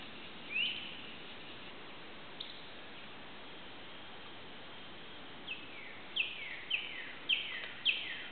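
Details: Red-shouldered hawk perched on a twig above a recently cleared lot near Suwannee River State Park, Florida, in July 2011, calling to its nest-mate: one faint descending scream, then a run of five quick down-slurred calls over steady background hiss.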